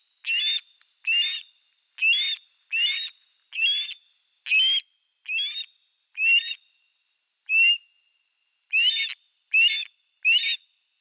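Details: Osprey pair on a camera-watched nest with a fish on 4 August 2024, giving loud upslurred whistles in a run of about a dozen, with a brief pause near the middle, against a silent background.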